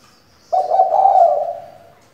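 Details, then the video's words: Spotted dove female used as a lure for singing males, giving a single sustained low coo of about a second and a quarter that opens abruptly, wavers slightly, then fades away. "Cu gáy mái mồi căng đét thúc bổi mở mỏ ngay!"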